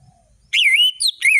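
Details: Brief burst of Orange-headed thrush song in the varied 'ngeplong' style: one clear, loud whistled phrase that wavers up and down, then a short twittering note.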